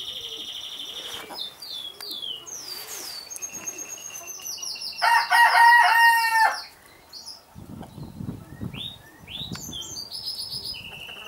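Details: A crowing red-saddled Yokohama rooster, housed with hens in Holland, delivers one strong, slightly falling crow of about one and a half seconds amid many quick high twittering calls from small wild birds.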